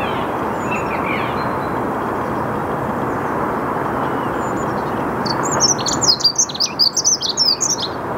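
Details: High, hurried warble of a dunnock bursts in near the end, a dense tumble of squeaky notes lasting about two seconds. Recorded early morning, 8 March 2022, 08:55, Saarn-Mendener Ruhraue in Mülheim an der Ruhr. A song thrush sings faintly and a constant hiss runs underneath.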